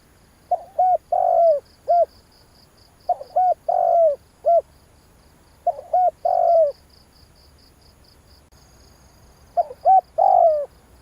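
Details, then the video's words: Spotted dove cooing to excite a decoy bird: four phrases of quick short hoots and a longer coo, repeated every few seconds, with faint rhythmic high ticking throughout. "tiếng chim cu gáy kích bổi hay"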